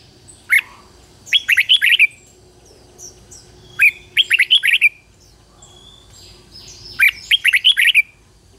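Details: Red-whiskered bulbul used as a lure for wild birds, delivering three bubbly whistled phrases roughly every three seconds. A single clear note comes before the first phrase, with soft chirps between phrases.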